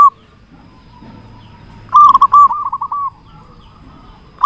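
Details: Local zebra dove, loud and actively singing, used as a lure: one strong phrase of rapid rolling coos that fades into a softer trill, over low background rumble.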